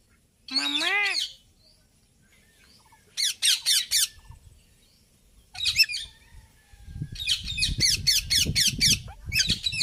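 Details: Indian ringneck parakeet talking and making noise: a lower wavering harmonic call opens, then bursts of rapid shrill screeches, the last stretch over rustling, handling-like background noise.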